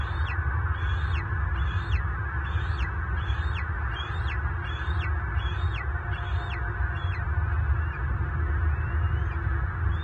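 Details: Bald eagle adult, a male raising eaglets alone, locking talons with an intruder eagle that may have been after food, Southwest Florida, March 24, 2023. Quick series of about ten high, falling whistled notes, then a short pause and a faint note, over heavy low rumble.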